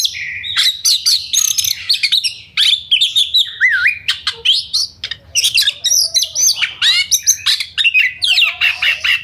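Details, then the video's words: Oriental magpie-robin, a caged songbird's rapid full song to make rivals aggressive and sing: varied whistled phrases, zigzag trills, squawky notes and sharp chips packed closely together. "Pancingan Kacer Gacor Ngobra Speed Rapat! Efektif Buat Kacer Agar Emosi tarung Bongkar Isian"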